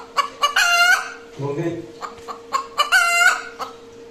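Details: Hen making noise after laying an egg. Two loud, stretched squawks are each led in by sharp clucks, with a brief low rumbling sound between them and a steady hum beneath.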